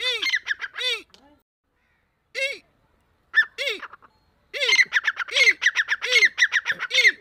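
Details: Grey francolin of the Deccani type calling in breeding season. Scattered harsh phrases with silent gaps give way to a fast, continuous run of squawky repeated notes, each led by a low arched tone.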